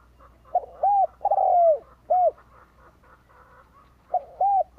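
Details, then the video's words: Spotted dove decoy coo for luring wild birds, a phrase of brief note, arched coo, long falling coo and short coo, then a second phrase starts; faint warbling background tones. "Cu gáy kích lửa bổi cực nhạy / Chim cu gáy Bổi nghe nhanh gáy /Chim Cu gáy kích bổi"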